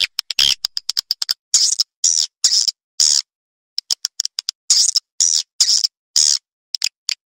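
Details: Edible-nest swiftlet attraction call for luring birds from neighbouring swiftlet houses into a private nesting house; short harsh buzzy high bursts with gaps, and scattered dry clicks between them.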